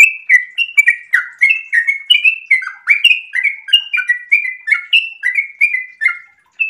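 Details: Sooty-headed bulbul singing continuously in 'ropel' style while in breeding condition: a steady run of bright, bubbling whistled couplets, each note dipping and rising, delivered several per second without a break.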